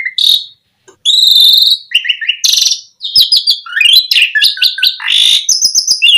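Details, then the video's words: Song of an Asian pied starling, played to prompt other starlings to sing; varied whistled phrases, buzzy trills and falling slurred notes run together almost without pause. "Suara Jalak Suren Memancing Burung Jalak Biar Cepat Full Isian"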